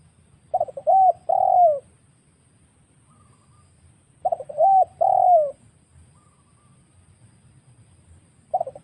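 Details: Wild spotted dove lure recording for trapping birds, phrases roughly every four seconds: rapid choppy introductory notes then two smooth, drawn-out coos falling at the end, a third phrase just starting.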